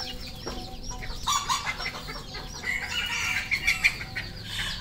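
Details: Red junglefowl on a farm in Cambodia: a drawn-out, harmonic crow rises out of busy flock chatter, about one second long, among thin high peeping and scattered clucks from many other fowl.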